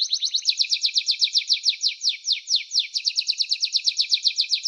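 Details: Singing canary, a rhythmic series of quick downward-sweeping chirps repeated about five times a second.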